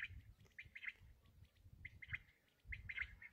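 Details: Black francolin (kala teetar) calling in brief grating bursts of clipped notes, grouped into three phrases, with soft low rumble beneath.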